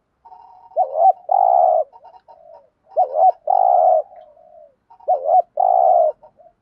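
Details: Spotted dove urging coo, used to stir other doves into calling: three phrases about two seconds apart, each a short looping note and then a long, steady, buzzy coo, with soft low notes in between.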